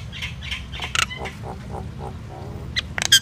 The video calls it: Common myna bird song Indian myna sound | mynah singing